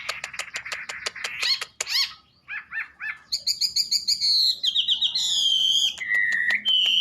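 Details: Wambi singing a varied, lively song: fast clicking trills, then looping whistled notes, a buzzy burst, and long clear slurred whistles that step down in pitch toward the end.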